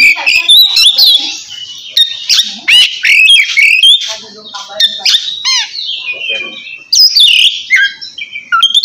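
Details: Oriental magpie-robin in ngeplong song, calling a rival to spur quiet birds: bursts of harsh squawks, fast upward sweeps and whistled phrases separated by short pauses.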